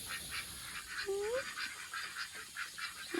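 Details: An excited pet duck gives a single short, rising nasal note while its pond is being filled, over a steady rush of running water with soft splashing throughout.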